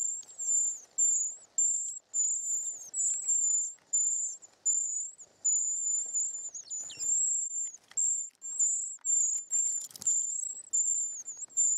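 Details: Short-toed treecreeper nestlings being fed in the nest: very high, thin, hissing trilled calls in bursts under a second long, about a dozen in quick succession with short gaps, plus faint soft rustling.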